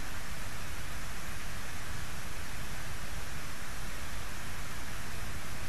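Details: Only dense, even hiss and low rumble are heard throughout, like wind or rain, with no animal voice.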